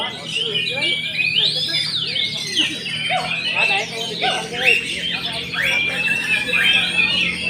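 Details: Oriental magpie-robin singing from a contest hanging pole: loud, varied whistled phrases with rising and falling sweeps and swooping notes, overlapping other birds' song, with a low steady hum and crowd chatter beneath.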